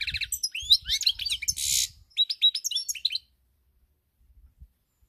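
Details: Goldfinch song dated 7 March 2021: about three seconds of fast tinkling twitters with a harsh buzzy burst in the middle, then quiet with a few faint low knocks.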